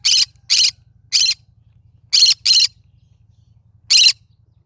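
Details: Cinnamon-colored green-cheeked conure giving a series of six brief, harsh, buzzy squawks at uneven intervals, two of them in a quick pair, over a steady low electrical hum.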